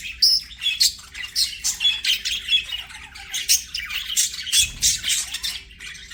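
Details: Singing, playing budgies: steady stream of rapid clipped chirps and buzzy squawks, pulsing several times a second, with a faint low thump midway.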